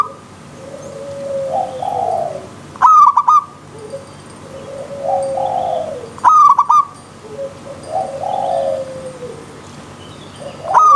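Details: Zebra dove song in a wild-nature setting: three phrases, each a soft low rising coo followed by a loud, clipped stuttering burst of four or five ringing notes, repeating roughly every three and a half seconds.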